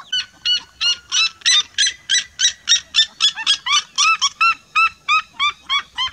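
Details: Flock of red-legged seriemas singing together in a vibrant chorus, a rapid continuous series of loud, harsh yelping notes, roughly three per second, with overlapping voices.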